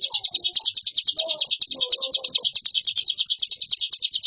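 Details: Hill prinia singing nonstop with varied 'ngebren' style: a fast, unbroken stream of sharp, high chirps, about eight per second, steady throughout; faint lower murmuring notes in the background early on.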